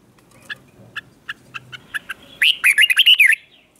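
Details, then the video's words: Morning song of a red-whiskered bulbul, recorded for training: soft, evenly spaced chirps roughly every half second, then a loud, rapid warbling phrase of rising and falling notes that ends abruptly. "Luyện chào mào hót sáng"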